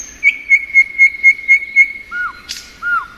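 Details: Spring singing of a thrush nightingale: about seven loud, even whistled notes in quick succession, then two lower, falling whistles after a short harsh burst.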